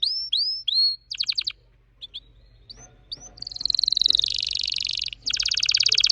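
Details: Orange-red red factor canary singing: rising upslurred whistles, short fast stuttered trills, a pause, then a long rolling buzzy trill and a final rapid trill, with a faint low hum beneath.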